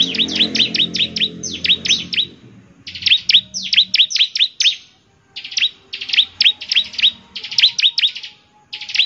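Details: Bar-winged prinia (ciblek) in vigorous song to provoke other prinias to answer: clustered phrases of sharp, high, down-swept chirps repeated in quick groups with short gaps; a low murmur at the start.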